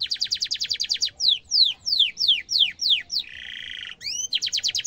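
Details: Canary singing a sharp rolling song for training young canaries: a fast trill, a series of slower downward-sliding whistles, a buzzy sustained note, then another rapid chirping trill.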